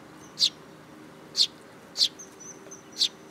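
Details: Sparrow at a Tenmangu shrine where the birds come to be fed, July 2022, giving four crisp single chirps roughly every half to one second against quiet surroundings.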